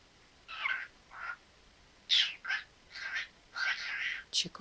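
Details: Pet parrot talking indoors; short raspy word-like phrases in bursts separated by pauses, with a person's voice speaking nearby.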